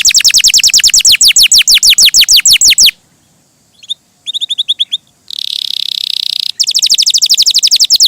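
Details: Canary in lively, melodious song. A rapid run of loud descending whistled notes stops abruptly, followed by soft chips and a short trill, a harsh buzzy rattle, then the fast whistled series resumes.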